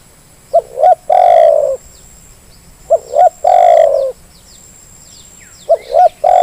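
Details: Spotted dove call used as a lure to get lazy birds calling. Repeated phrases, each two brief coos then a long purring coo, recur about every two and a half seconds.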